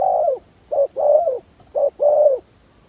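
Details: Decoy spotted dove used to lure wild doves, repeating a low, mellow phrase: a short clipped coo then a longer sustained coo, given three times about a second apart with quiet gaps.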